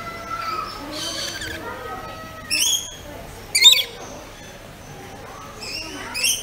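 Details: Pet rainbow lorikeet making loud, rasping, harmonic screeches in three bursts, the middle one the strongest, over soft chirping and a low background hum.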